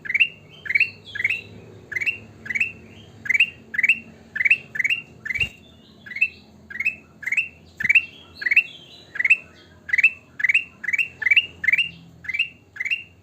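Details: Sooty-headed bulbul singing continuously, with a dense, rapid series of short rising whistled phrases, about two per second, mixed with higher sliding notes and a couple of sharp clicks.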